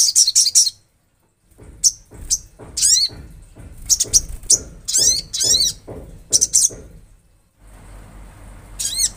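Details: Olive-backed sunbird in energetic natural song: quick bursts of very high chips, then separate arched, slurred notes dipping lower, spaced about half a second apart, against a soft low rumble and a short hiss near the end.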